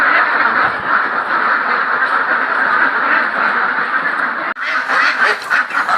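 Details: A large flock of ducks on a duck farm quacking together in a dense, unbroken chorus of overlapping nasal calls, with a brief break near the end.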